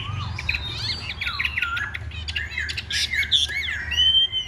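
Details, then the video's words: Chinese hwamei in a fighting display: harsh squawky notes mixed with sliding whistles and chirps, ending in a sustained clear whistle, with a soft low hum behind. "Bộ to đấu xòe hót rất tốt, giộng rất hay"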